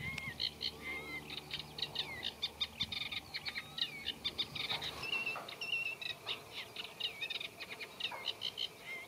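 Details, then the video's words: Eurasian reed warbler singing in a reed bed: a slow, scratchy run of rapid chattering notes mixed with whistled slurs mimicking other birds, the notes repeating in tight bursts throughout, with a low hum beneath. "Eurasian Reed Warbler Song | Acrocephalus scirpaceus Singing"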